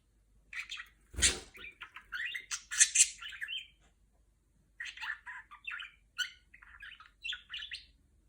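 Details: Female budgerigar kept as a pet, mimicking R2-D2 from Star Wars: busy warbled chatter of quick chirps and squeaks in two long runs, with a brief broadband rustle early on.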